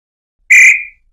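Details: Tataupa tinamou (nambu-pé-roxo) voice used to attract males and females: one loud, clear whistled note, steady then fading with a slight downward slur, in silence.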